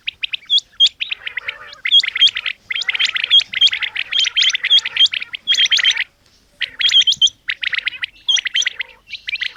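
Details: Calls of a female common quail (batair): dense runs of scratchy high chirps punctuated by clear upward-flicking whistled notes, delivered in uneven groups with brief silences.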